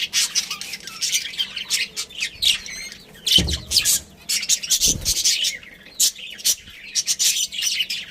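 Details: Budgerigar breeding pair with family: high scratchy chatter and squawky chirps in bursts, with two low knocking thumps around three and five seconds.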